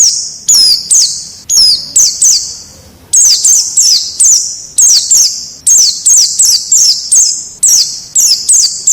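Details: White-eye from the wild, used as a training recording for caged birds: short high notes with a downward slur, given in quick bursts of two or three and separated by a brief pause near the start.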